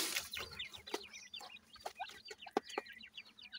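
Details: Partridge chicks kept in care, a brood peeping together: many thin, high downward-sliding cheeps overlap in quick succession, with sharp knocking taps scattered throughout.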